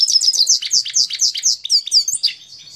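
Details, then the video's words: Rapid, continuous twittering of a Himalayan goldfinch from Parachinar, with high sliding chirps tumbling one after another several times a second, bright and lively throughout. "Parachinar Himalayan Goldfinch Singing 2022"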